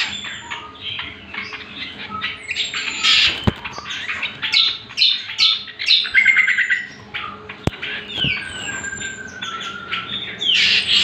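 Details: Greater green leafbird bait song for training other birds: rapid sequence of crisp chips, whistled slurs and mimicking notes, about two elements per second, with a couple of sharp clicks and a faint low hum.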